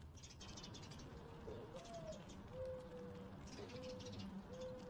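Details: Mourning dove cooing: a soft, low phrase beginning with a rising, slurred note, then three long, steady hollow coos at even spacing over a faint hiss with light high-pitched background noise.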